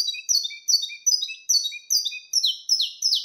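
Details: Wild-type 'mateiro' song of a saffron finch: high, clear, descending notes roughly every half-second, each paired with a softer, lower chirp, forming a brisk, rhythmic series.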